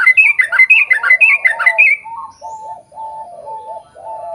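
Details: Lure song of a yellow-vented bulbul, played so other birds of its kind sing back: two seconds of loud, rapid chattering whistles in a tumbling run, then a lower bird's steady series of soft, hollow hooting notes.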